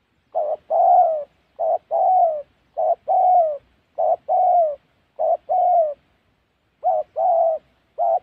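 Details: Spotted dove calling near a trap in Gia Lai, Vietnam's Central Highlands: repeated soft coo phrases, each a clipped note followed by a drawn-out, gently falling croon, about seven pairs in steady rhythm.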